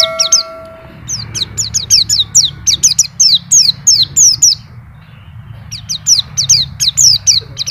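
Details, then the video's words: A white-eye, named a champion master bird, sings its isian fill in continuous ngacor style. After a short steady tone, fast repeated descending chirps follow, pause briefly near five seconds, then resume, over a low background hum. "PLECI NGACOR ‼️BONGKAR ISIAN"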